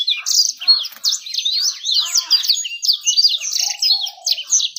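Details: Bird song played as a lure to get birds singing fast and to attract females: a dense, rapid stream of high twittering and sweeping chirps, with a short lower drawn-out note near the end.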